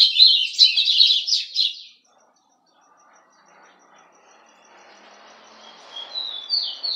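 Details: White-throated Seedeater (golado) kept as a pet: two seconds of loud, rapid high chirping notes, then near silence. Faint thin whistles return at the close.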